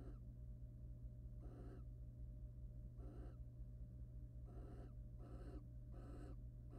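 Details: Courting pair of wild barn owls at a nest box, the male preening and mating with the female: rasping, noisy shrieks of under half a second come in six irregular bursts, with a constant low hum beneath.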